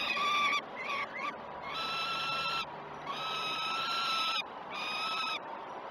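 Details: Peregrine falcon at a nest site during a breakfast feeding on 21 June 2018, morning: harsh, drawn-out wailing calls with strong layered overtones, each lasting about a second, repeated in bouts with brief pauses, over a steady background hiss.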